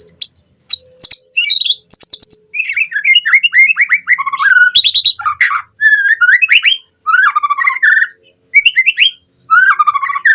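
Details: Captive-training lure of white-rumped shama song meant to bring out full fill-in repertoire: high piping notes at first, then flowing sequences of looping, slurred whistles in phrases of one to two seconds, separated by brief gaps.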